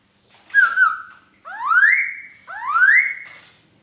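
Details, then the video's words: Laughingthrush song in three loud phrases: a wavering whistle, then two long, smooth whistles that rise and level off, each lasting about a second. "Tiếng Chim Khứu hót"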